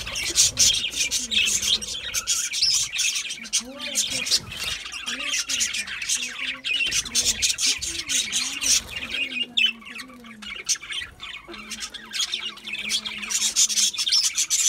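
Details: Budgies feeding on a seed mix keep up a long stream of scratchy chirps and squawks, with wavering lower warbled notes in the middle stretch.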